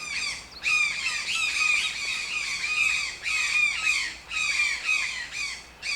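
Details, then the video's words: Toucan uttering a series of coarse, buzzy yelps, each bending downward, delivered in uneven bursts with short silences between them. "TOUCAN SOUNDS - Toucan Sound Effect"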